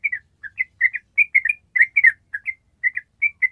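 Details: Yellow-vented bulbul in ropel song, a tutor recording for training other birds: short chirped doublets and single bright notes spaced irregularly, some pairs tumbling quickly together, with clean quiet gaps between.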